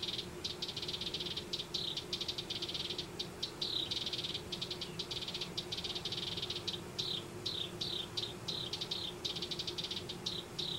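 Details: House wrens nesting in a yard in Denver: harsh, rattling chatter of rapid buzzy bursts mixed with short downslurred whistled notes, coming in irregular runs for about ten seconds over a steady low hum.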